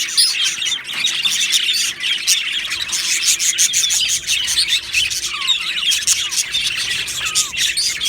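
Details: Australian budgerigars kept as a colony in an aviary, chirping together: a dense, continuous chatter of many overlapping high twittering notes and short clicks, with a few brief whistled rising-falling notes standing out near the end.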